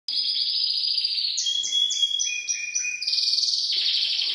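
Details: Gloster canary in full song: sustained buzzy trill near the top of its range, then a stepped series of short whistled notes descending in pitch, ending in a dense high rolling trill.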